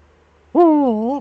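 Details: Eurasian eagle-owl in the nest hollow with its mate, webcam, 6 March 2013; a single loud drawn-out nasal wail that rises, dips and wavers, about three quarters of a second long.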